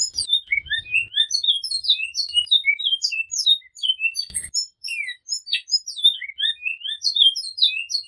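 Great-billed seed-finch giving a flute-type song: a rapid, dense stream of high, sweeping whistled and chirped notes, repeated without pause, with a few faint low thumps.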